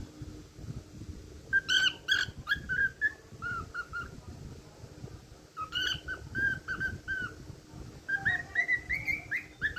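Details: Cockatiel song of clear whistled notes in loose phrases, ending with a run of rising whistles, set against a noisy low rumbling background.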